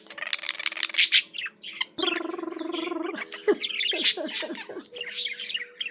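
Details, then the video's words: Singing budgie kept as a pet, delivering rapid scratchy chirps and ticks, then a sustained nasal, buzzy note held for about a second before the chatter resumes. "Peaceful, relaxing budgie sounds for your bird"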